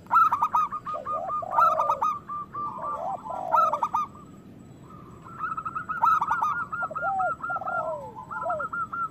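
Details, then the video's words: Zebra dove, local bird kept as a lure to get other doves singing and breeding. Quick chattering coo runs alternate with deeper downward-slurred notes, in three phrases, a short quiet gap, then another burst. "Perkutut lokal gacor Suara Besar Pancingan Birahi Cepat Bunyi"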